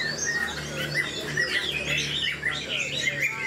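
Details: Chinese hwamei song from an old wild-caught caged bird noted for its quick delivery: short whistled notes and slurred phrases sound through a noisy background with a steady low hum.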